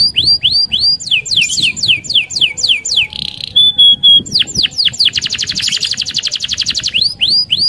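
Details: Lively canary song, a fast roll played to stimulate other canaries: repeated high swept whistles, a brief buzzy burst and a pure held tone, then a dense rattling trill before swept notes return.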